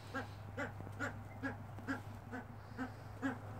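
A Himalayan monal gives short, nasal, harmonic notes, about two or three each second, over a steady low mechanical hum.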